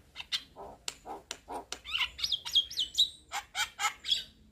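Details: White-eyed Javan myna, head bobbing, delivers lure chatter to provoke another myna; low gurgling notes alternate with sharp clicks, then a string of wavering whistled upslurs and a buzzy finish.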